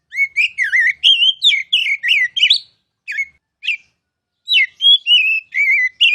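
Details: Oriental magpie-robin giving loud ngeplong-style masteran song used to tutor other birds: rapid, varied whistled phrases with sliding, warbling notes, several short bursts, a pause, then a run of bright rising and falling whistles.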